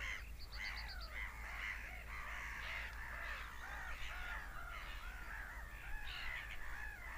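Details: Seagulls screaming, overlapping wailing calls, with a brief quick series of high, thin notes early on, all over a constant low rumble.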